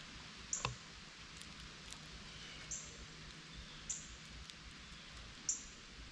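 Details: Cardinals near a feeder, waiting for seeds a squirrel may drop, give four brief, piercing high chips at uneven intervals of about one to two seconds over constant low background noise.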